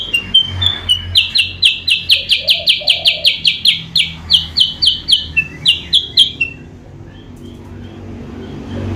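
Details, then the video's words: Sooty-headed bulbul lure call meant to draw rivals closer: a fast, loud series of about twenty clipped, high whistled notes, slightly varying in pitch, then fading into quiet background hiss. "suara pikat burung kutilang sutra bikin lawan auto mendekat"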